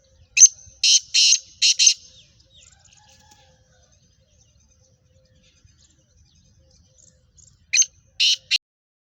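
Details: Female black francolin, called kali madi, from Sindh and Punjab: harsh, raspy notes in a quick burst of four, then a long silence and a second burst of three similar notes.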